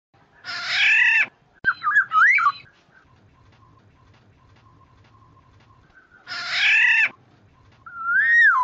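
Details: Black-naped oriole, a lure recording: a harsh nasal rasping call, then a liquid fluty whistled phrase, a long pause, another rasp, and a rising-falling whistle. A faint steady tone hums in the background.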